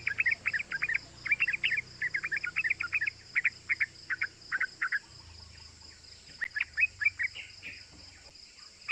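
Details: Yellow-vented bulbul giving fast chattering cuk cuk notes, used as a lure to excite other bulbuls into calling: rapid bursts of short sharp chirps, a pause near the middle, then more chatter, over a steady high hiss.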